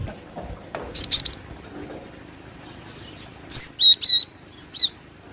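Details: Female cinereous tit call played to attract birds: a quick triplet of high chips, a pause, then several louder, evenly spaced, slurred whistles.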